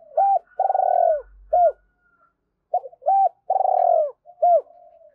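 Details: Decoy spotted dove calling wild doves. Two phrases, each a hooked coo, a long throbbing downslurred coo and a curved closing note, over a faint steady hum.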